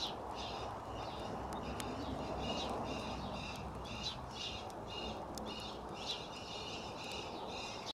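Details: A newly weaned young male Meyer's parrot, on its first time outside in a harness and a bit timid and nervous, gives a run of shrill, chirpy calls, about two a second, over steady outdoor rumble and wind.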